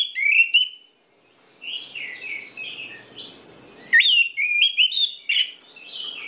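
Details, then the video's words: An orange-headed thrush sings as a lure for reluctant birds: loud slurred whistles, a pause, softer warbled phrases, then another loud run of bright, rising and falling notes. "PANCINGAN ANIS MERAH MACET DAN MALAS BUNYI"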